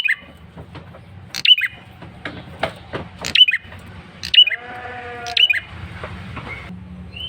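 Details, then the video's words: Insistent lure call of a male prinia: high slurred chips about once a second among scattered clicks, with a bleating harmonic sound and low background rumble. "Suara PIKAT prenjak kepala merah jantan GACOR NGOTOT"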